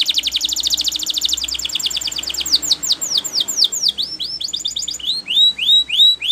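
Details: Spanish Timbrado canary training song: a fast metallic trill of rapid repeated notes that gradually slows into separate high down-slurred chips, over a faint low hum.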